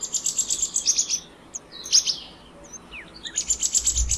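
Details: Black-naped monarch (black-naped blue flycatcher, Hypothymis azurea) of southern and south-eastern Asia gives rapid runs of sharp, high ringing notes, about eight per second, twice; softer chirps from other birds fall between the runs.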